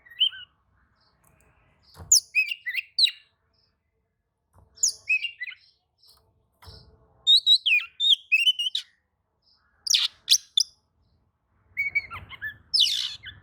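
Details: Oriental magpie-robin singing in response to another magpie-robin: repeated bursts of varied whistles, chips and trills separated by short pauses, with a few faint thumps.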